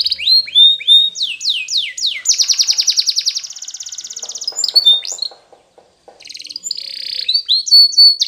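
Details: Spanish Timbrado canary singing a training song. Quick falling whistled notes give way to a long, fast, metallic rolling trill, then softer rattling notes, a brief silence, and renewed high whistles and trills.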